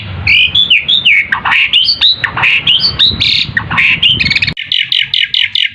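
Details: Asian pied starling song used as a lure to make other birds answer: a busy run of slurred whistles, harsh squawks and chattering notes, ending with a quick series of short, evenly repeated notes.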